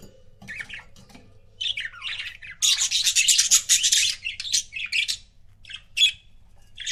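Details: Budgie couple kept as pets, giving continuous scratchy chatter: warbling rising and falling chirps build into a loud, dense run of raspy squawks, then break into separate short chirps.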